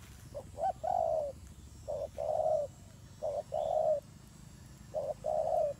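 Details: Fighting turtle dove giving mellow two-note coos, a quick lead-in note then a longer falling coo, four phrases spaced about a second and a half apart.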